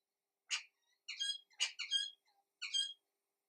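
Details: Little wattlebirds in Australia: harsh, raspy squawks in short bursts, a coarse noisy note followed by cackling harmonic notes, about five calls in three seconds with quiet gaps between.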